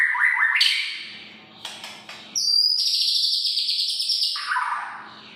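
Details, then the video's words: White-rumped shama song used to provoke other shamas to sing: busy, varied phrases of whistles and chattery notes, a sharp high whistle, then a long sustained warble that drops lower near the end. "pancingan burung murai batu muntah isian"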